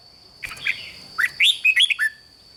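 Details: Red-whiskered bulbul kept in a cage, song played to excite birds: a short burst of five or six clear, bouncing whistled notes after soft faint sounds, over a thin continuous high tone.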